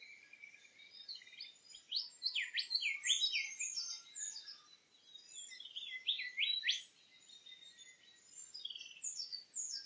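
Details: Regent bowerbird: bursts of rapid, high, squeaky down-slurred and chattering notes, tightly packed for several seconds, pausing, then resuming more sparsely near the end.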